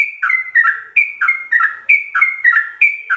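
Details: Sooty-headed bulbul singing a 'ropel' style song with full fill-ins, kept as a training master for captive birds: clear whistled notes stepping down in pitch, grouped in short bursts repeating roughly once per second.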